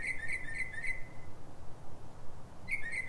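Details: Northern mockingbird singing at night in Silver Spring, Maryland, USA, in pre-dawn hours around 3:44 am: a phrase of four quick repeated whistled chirps, a pause, then the same note repeated again, over low background hum.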